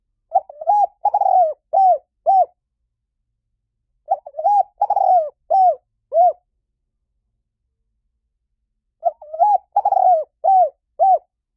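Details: Spotted dove cooing: soft, low hollow phrases of about five coos, a longer double-note followed by shorter notes, repeated three times with pauses of about two seconds, in an otherwise quiet setting.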